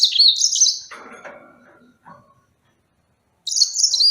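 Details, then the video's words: Serinus mozambicus opens with a rich, high warbled phrase, followed by lower clattering noises and a pause, then begins another bright warble. "Enchanting Sounds Tropical Bird Calls to Relax finch Serinus mozambicus"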